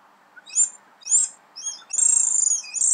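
A swallow gives three high, thin chirps about half a second apart, then a fast, buzzy twittering trill that runs to the end.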